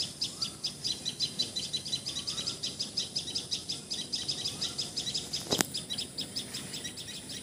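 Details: Common tailorbird from Assam, India, calling with quick, evenly spaced high chips, roughly three a second. Faint short whistles from another bird sound softly, and a sharp click comes near the end.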